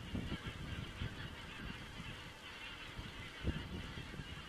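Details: Geese heard on a crane webcam in Estonia on 27 September 2017, a constant blur of overlapping flock calls with a few low thuds and knocks.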